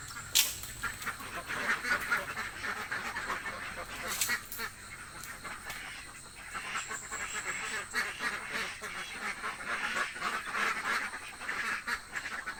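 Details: Village ducks, described as very hungry, keep up a ragged chorus of overlapping nasal quacks, with a few sharp clicks and a brief high whine partway through.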